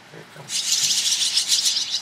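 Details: Barn swallow nestlings being fed by their parents on private property in Toronto, Ontario, Canada, in July: a continuous high, hissing, rasping chorus of begging that starts after a half-second of quiet and holds steady.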